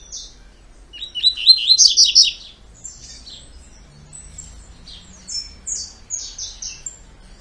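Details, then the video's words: Two-note "tui tui" song of a double-collared seedeater: a dense cluster of high whistled, slightly buzzy notes around the second second, then clear downward-slurred whistles repeated in a loose series. "COLEIRO DE GOLA TUI TUI 2 NOTAS"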